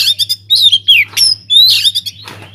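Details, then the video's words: Oriental magpie-robin singing energetically in an aviary, used as a lure to make other birds sing. Loud, varied whistled phrases, some sliding downward, mixed with quick chirps over a steady low hum. "BURUNG KACER GACOR DIDALAM UMBARAN"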